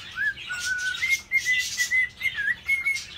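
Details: Male cockatiel, a normal gray split to Lutino, kept as a pet, serenading and courting a white-faced cinnamon female: a string of clear whistled notes, some gliding and wavering, with soft chirps and hiss in the background.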